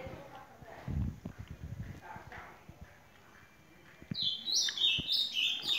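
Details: Ultramarine grosbeak singing: low murmuring and thumps fill the first seconds, then a sweet, warbled phrase of high sliding notes rises and falls over the final two seconds.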